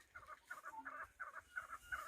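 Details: Chukar partridge: a soft series of short clucking chuk notes, about three a second, fairly even in pitch, quiet against a still background.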